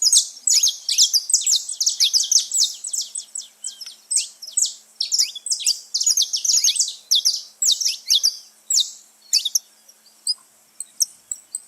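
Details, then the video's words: Free-living saffron finches gathered in nature, many voices at once: bright, piercing chirps and short sweeping notes tumble over one another for nearly twelve seconds, thinning slightly toward the end. "festa dos canário da terra livre na natureza"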